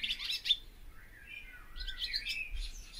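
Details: Barn swallow giving a short scratchy burst, then thin wavering slurred whistles rising into renewed twitter.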